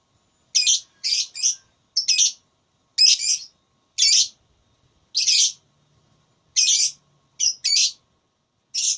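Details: Lovebird during a voice-battle singing contest, repeating short harsh high chirps, singly or in pairs, at irregular intervals of about one second through the passage.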